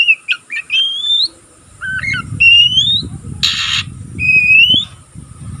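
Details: Oriental magpie-robin youngster, still practising its song, mixes quick twitters with drawn-out rising whistles, accompanied by a brief loud hiss and low rumbling background noise.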